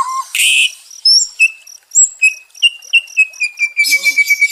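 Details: White-rumped shama heard as therapy for stressed caged birds: a short low whistle, a burst of harsh noise, then clear high whistled notes repeated about every third of a second, speeding into a quick series.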